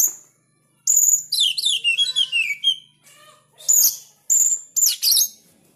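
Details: Oriental magpie-robin in sharp, full song: loud high whistles and rapid descending trilled phrases delivered in bursts with short pauses, ending in piercing whistled notes.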